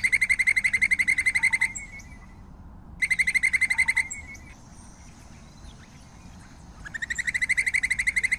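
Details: Song of the White-necked puffbird, heard as bursts of fast, high, evenly pulsed trilling separated by quiet gaps of a second or more, with faint background hiss.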